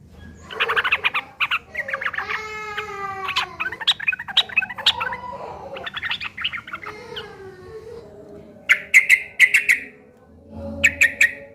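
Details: Yellow-vented bulbul giving a harsh, chattering fighting song used as a lure to make other bulbuls answer; bursts of rough scratchy notes and rapid stacked chirps, with loud sharp chip series near the end and low hum beneath.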